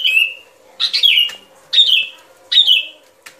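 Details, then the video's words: Sooty-headed bulbul, song used as a trapping lure, giving four short whistled phrases roughly every three quarters of a second, each a bright note sliding downward, over a faint steady hum. "Tiếng Chim Bông Lâu Mồi Chuẩn"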